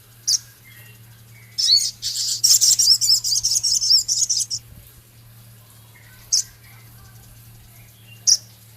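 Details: Male Javan cochoa in a training recording for kept birds: a single high chip, then a three-second burst of dense, harsh, rapid ticking chatter, followed by two spaced sharp chips, over a steady low hum.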